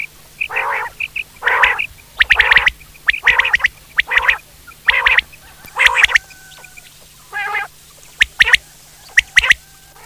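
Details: Quail calling: harsh, buzzy bursts about half a second long, repeated roughly once a second in an uneven series, with a few shorter clipped notes near the end.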